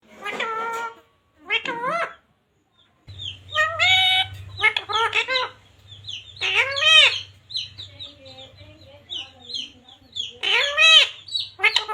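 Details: Talking parrot, a pet green ring-necked parrot kept indoors, saying Radhe Radhe and Sita Ram in a series of harmonic, wavering speech-like phrases with short gaps, plus a low background hum.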